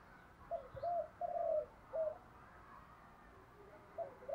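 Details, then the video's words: Decoy spotted dove cooing to lure wild doves: a quiet phrase of short and drawn-out mellow coos, with a steady background hiss and two more soft coos at the end. "Chim Cu Mồi_ cu gay giong tho cuc dinh Thúc + gáy gọi bbooir nghe nhanh về và nhanh gáy"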